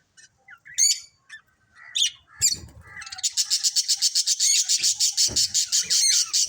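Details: Chirping budgerigars from a colourful family group: scattered sharp chirps and squeaks at first, then a fast, steady string of bright, buzzy chirps repeated more than twice a second for the last few seconds.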